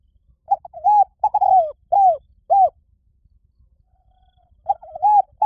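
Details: Spotted dove giving a cooing phrase: a few short, mellow, slightly rising coos, a longer drawn-out note, then two separate falling coos. After a pause a new phrase begins. The background is clean and quiet.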